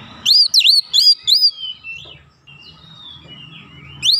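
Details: Oriental magpie-robin singing in response to a lure recording: four or five loud swooping whistles close together, then softer trailing notes and quiet background.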